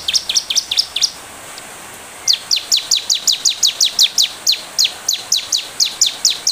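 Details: A bar-winged prinia recording used as a lure to draw a quick response gives sharp, high chipping notes, about five a second, in a brief burst, then after a pause a longer steady run.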